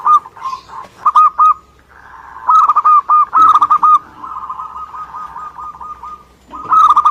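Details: Zebra dove of local Indonesian stock in lively song. Loud trilled coo bursts come in quick succession, then a gentler, evenly spaced run of soft coo notes, and a final strong phrase at the end.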